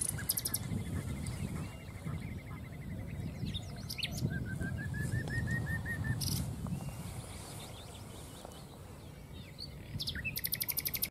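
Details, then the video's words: Common nightingale (Luscinia megarhynchos) singing in Castricum, the Netherlands: a fast, even trill, a series of repeated rising whistles, and short harsh rattling bursts, over a steady low rumble of background noise. "Singing Nightingale"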